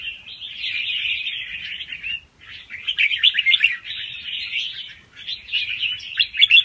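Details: Young wild red-whiskered bulbul in quick song with doubled notes, played to stimulate other birds: three long bursts of bright, jumbled warbling separated by short gaps, the last phrase ending in sharper notes.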